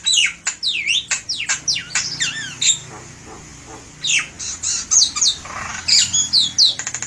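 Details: Javan myna singing a melodious, busy song meant for use as a lure: rapid harsh squawks and sharp descending whistled strokes, a brief lull near three seconds, then more squeaky notes and a fast ticking rattle at the end.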